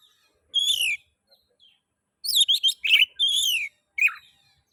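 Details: Oriental magpie-robin (kacer) song for stimulating other magpie-robins to sing: a long slurred whistle falling in pitch, a pause, then a cluster of loud scratchy whistles and chips ending in a sharp note.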